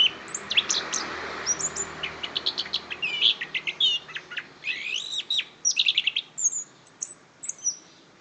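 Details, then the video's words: Orange-headed thrush recorded in Kediri, Indonesia, delivering a rich, fast, varied song of high whistles, slurred upward and downward notes and rapid chips, phrases tumbling almost continuously with brief gaps. "Anis Kembang"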